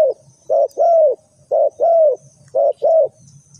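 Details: Spotted dove calling as a trapping lure, with three quick paired coos in a row: a clipped first note and a drawn-out, slightly falling croo, spaced about one second apart.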